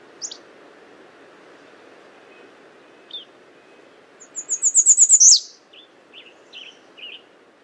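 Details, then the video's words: American redstart calling: a very high, thin run of about eight quick notes ending in a sharp downslur, with scattered soft chips around it over a low steady hum. "American redstart Calling"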